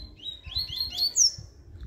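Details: Double-collared seedeater singing in the bakalu song style, recorded 5 November 2023, a Sunday: a short run of quick rising chirped notes climbing in pitch, ending on a bright high slur, with faint low thumps beneath.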